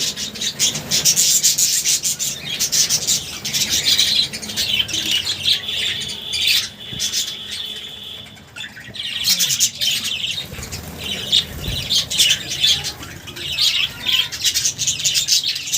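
Budgerigars chatter nonstop in high, scratchy chirps and warbles, with one thin steady whistle partway through.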